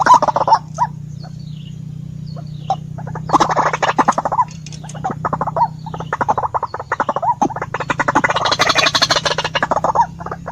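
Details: White-breasted waterhen giving harsh, croaking notes in uneven runs, some rising and falling, building into a dense, rapid burst near the end over a steady low electrical hum.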